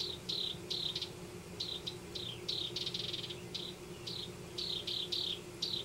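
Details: Nesting house wrens in a Denver yard give a long run of brief, sharply down-slurred chip notes, irregularly spaced about two to three per second, with a constant low background drone.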